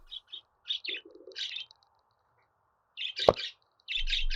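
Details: Budgerigar twittering in rough chirps and short warbled phrases, broken by a sharp knock midway and ending under a rush of noise.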